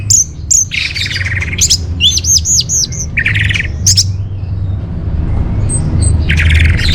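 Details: Orange-headed thrush in full song, a master and lure recording for caged birds: busy, harsh chattering phrases mixed with a rapid series of looping high whistles, then quieter high notes over a background hum.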